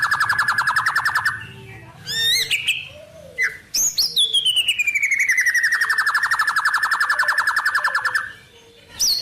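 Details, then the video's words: White-rumped shama song full of wild-bird isian phrases: a long loud trill of rapid repeated notes, then rising sweeps and a long descending series of fast buzzy pulses, ending with a sharp high note. "Suara Murai Batu Full Isian Burung Alam"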